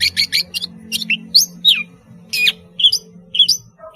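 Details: Long-tailed shrike in active, sweet song for teaching spotted youngsters: scratchy bursts mixed with sharp downward-slurred whistles and high squeaks, irregularly spaced, over soft background hum.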